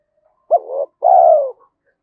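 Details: Single cooing phrase from a spotted dove in the thổ Thúc Đấu voice, used for forest decoy trapping: a brief rising hoot with a wavering tail, a pause, then a drawn-out, slowly falling coo. No other sounds.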